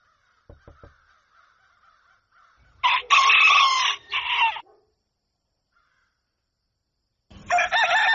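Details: Rooster crowing at dawn: a loud, harmonic-rich cock-a-doodle-doo of about two seconds with a short break in the middle, then a second crow starting near the end. Faint clicks and a thin steady tone are heard beforehand.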